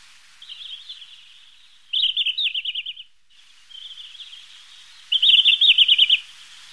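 Red-flanked Bluetail giving two short, high phrases, each a soft lead-in followed by a louder, quick trilled warble, about three seconds apart.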